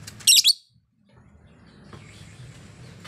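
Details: Female lovebird singing actively: a quick pair of piercing, screechy high chirps at the start, then near silence with faint background hum.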